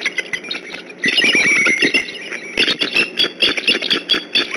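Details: Alarmed adult bald eagles at the Decorah nest in November, both parents on alert: harsh high-pitched squealing calls in quick pulsing bursts over a rough, noisy background.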